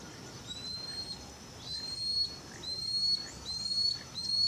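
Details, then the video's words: Lanceolated monklet in its natural habitat, humid tropical forest in Costa Rica, giving thin high rising whistles spaced roughly one per second, gaining strength toward the end, with quiet forest hiss behind. "Macuru-papa-mosca cantando na natureza"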